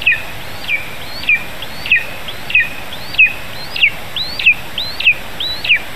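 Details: Lesser spotted eagle nestling, Zemgale, Latvia, 15 July 2019 near 11 a.m., during a vole feeding: a regular run of high, thin squeaks that climb briefly then fall, roughly ten in six seconds, over constant hiss.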